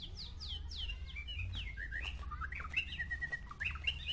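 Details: White-rumped shama singing in a contest between a short-tailed Medan shama and a balak 6 shama; rapid varied phrases of falling whistles, chirps and twittering notes flowing continuously, with a low hum underneath.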